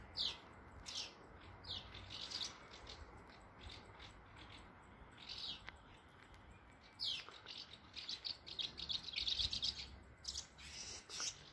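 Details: Numerous swallows flitting around a nest with chicks in Bulgaria; scattered bright chirps and short twittered bursts, busier toward the end, over quiet outdoor background.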